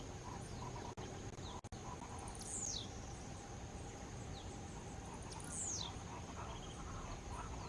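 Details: A Blue-black Grassquit (Volatinia jacarina) sings two thin, buzzy, sharply falling notes about three seconds apart, over a steady high insect drone and low rural background noise.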